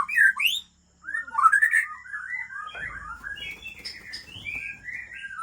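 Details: A white-rumped shama from Lamteuba, Aceh, kept as an original breeding bird, delivers rich slurred whistles and quick upsweeps. These give way to a busier run of warbled notes over soft low rustling.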